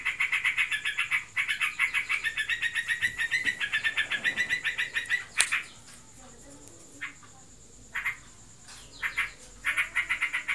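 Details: A kept Yellow-vented Bulbul (trocokan) in breeding condition rattles fast buzzy notes for about five seconds, then a sharp knock, quiet gaps and short bursts of chips.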